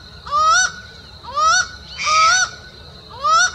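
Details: Laughing falcon, known as acauã, near Uberlândia, Minas Gerais, Brazil, calls four times with clear, rising, upslurred nasal notes about a second apart, one accompanied by a harsh burst, over a faint steady high whine.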